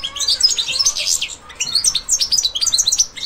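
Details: Goldfinch rising into breeding condition as breeding season approaches; a high, rapid twitter of jangling notes and buzzy slurs, a short pause near the middle, then another dense run of bright chirps.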